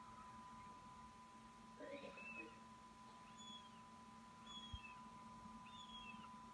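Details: Fledgling Northern goshawk that has already left the nest, returning to grab food. Thin, downslurred whistled calls repeat about once a second, over a steady electrical hum and low background noise.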